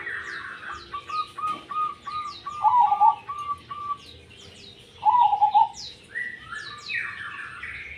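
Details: Tumpang sari song of a zebra dove. Two bubbling coo phrases stand out against busy whistled notes and sharp descending chirps from other birds.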